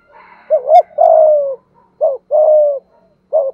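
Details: Spotted dove of Malaysian type in thúc gù cooing: a double short note and a long level coo, then another phrase, and a third starting. A soft murmur and a brief click sit under the opening.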